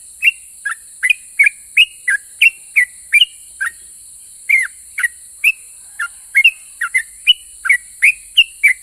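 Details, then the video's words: Yellow-vented bulbul in active, rapid ropel pajang singing said to set other bulbuls answering: a long run of bright whistled notes, some rising and some falling, roughly three per second, with a short gap midway and a steady hiss. "KICAU SUARA trucukan gacor Ropel pajang ini RAJANYA BIKIN NYAUT trucuk lain"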